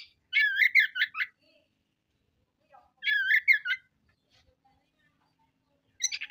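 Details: Oriental magpie-robin (kacer) in vigorous song: complex warbled phrases of quick, slurred whistled notes, each about a second long, given twice with a pause between them, and a third phrase starting at the end.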